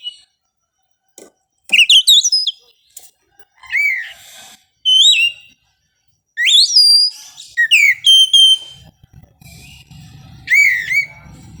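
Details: Dawn singing of an Oriental magpie-robin, played to keep the bird from over-arousal: loud varied phrases of sweeping, slurred whistles and sharp notes with short gaps, some low rumbling noise near the end.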